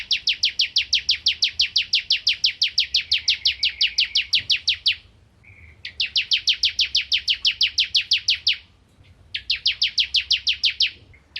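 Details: Bar-winged prinia, crystal variety of rice-field areas, giving long fast trills of clipped, even pulses lasting about five seconds, broken by short pauses and a brief buzzy note, repeated in three bursts.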